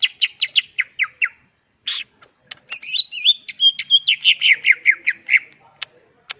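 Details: Greater green leafbird singing in the wild, a lure recording meant to provoke rivals into answering: series of quick descending whistled notes around mid-high pitch, a pause, then varied warbling phrases and repeated bright chirps.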